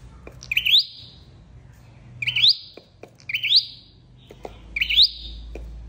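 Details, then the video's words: A red-headed flowerpecker, used as a trapping lure call, gives four thin, high, rising call notes, about one every second and a half, with faint clicks and low hum underneath. "Tiếng chim sâu đầu đỏ"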